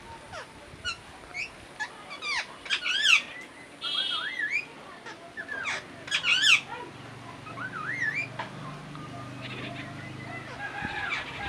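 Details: Parrot chirping and whistling: wavering, warbled whistled notes that bend up and down, mixed with short sharp chirps and a few squawks, irregularly spaced with low background noise.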